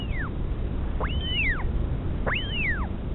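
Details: Northern royal albatross mother and chick during feeding at Pukekura/Taiaroa Head, New Zealand; a falling whistle opens, followed by two long arched whistles that climb and slide down, over a low rumbling background.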